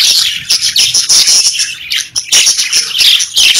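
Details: Pet parakeets warbling in a loud, rapid flow of high chirps and short whistled squeaks, briefly dipping near the middle before the chatter resumes.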